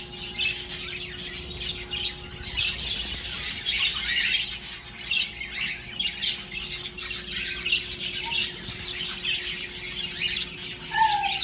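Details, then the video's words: Pet birds at home, cheerful after waking in the morning: a continuous noisy flock chorus of scratchy squawks and chirps, with a steady hum beneath and a brief clearer whistle near the end. "DESPERTARON muy ALEGRES mis aves en CASA"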